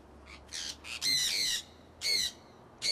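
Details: A kept flock of conures flying outdoors in Iowa, early spring 2003. Piercing, rasping shrieks come in short bursts, with a long sustained screech near the start and a sharp call repeated about a second later.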